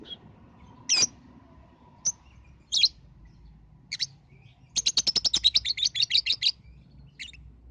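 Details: Lovebird lure sound to set young lovebirds under five months singing: scattered high chirps, then a quick run of loud rapid chattering notes lasting nearly two seconds, ending with one last chirp.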